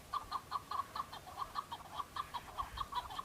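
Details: Male chukar partridge in fighting season, answering rival males: a steady run of rapid, clipped chuck notes, about five a second, over a hissing, noisy background.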